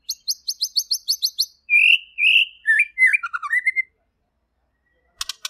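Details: Clear, vigorous white-rumped shama song: a rapid series of high chipping notes, followed by slurred whistles and descending warbled phrases, a pause, then a brief burst of high ticking notes.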